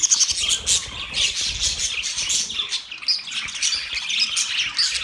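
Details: Budgerigars chattering closely together, dense high scratchy chirps and warbles in quick succession, with occasional brief squawks and thin whistled notes.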